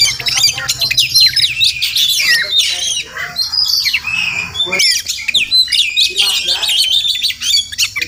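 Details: Magpie-robins (Murai Kampung) visiting a village home every morning, possibly nesting nearby, chatter almost without pause, with harsh rattling squawks and scratchy high notes overlapping throughout. A faint low hum sits underneath.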